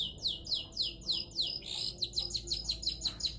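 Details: Long-tailed shrike in energetic song, giving fast, high-pitched, downslurred notes repeated several times a second in a dense, continuous twitter.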